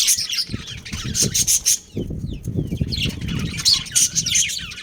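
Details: Pet budgerigar breeding pair: high chirps at the start and end, with a rustling, flapping of wings filling the middle.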